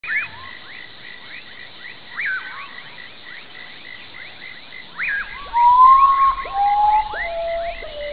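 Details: Common potoo (Nyctibius griseus) singing a short series of loud, clear whistled notes that step downward in pitch. A dense chorus of rapid upswept chirps and a steady high-pitched insect drone run throughout.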